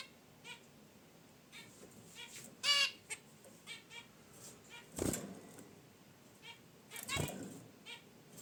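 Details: Zebra finches in their cage near a wicker basket nest call with nasal honks and chirps, one louder and longer, alongside two sharp rustling noises.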